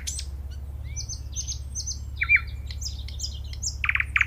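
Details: Nightingale song of scattered high whistled notes and short phrases with pauses between, ending in two louder rasping notes; a steady low hum runs underneath.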